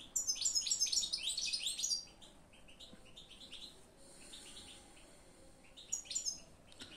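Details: Bright, rapid twittering from a European goldfinch for two seconds, followed by quieter broken chirping phrases and a final short burst of high tinkling notes.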